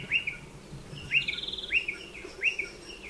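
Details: Striated pardalote calling near burrow nests in a dry stone wall: quick upslurred notes repeated about every 0.7 seconds, with a brief higher buzzy trill partway through.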